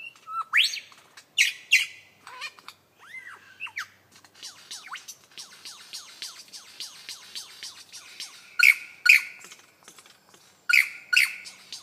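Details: Lyrebird beatboxing: a varied medley of loud rasping bursts, looping slurred notes and fast clicking rattles, with paired harsh chords returning near the end.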